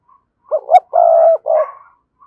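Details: A single cooing phrase from a decoy spotted dove with a strong 'thúc' voice: two short rising notes, a long steady low coo, then a shorter trailing coo.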